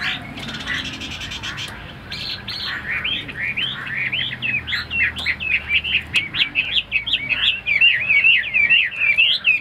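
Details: Tame captive Chinese hwamei delivering a long, varied song: opening rough notes, then a dense stream of rising and falling whistled phrases that grow louder and faster, with faint low background hum.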